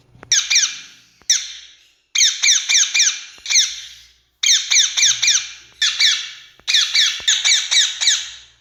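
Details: Rose-ringed parakeet from India calling in repeated bursts of one to four harsh, downward-sweeping screeches, with short silent gaps between the bursts.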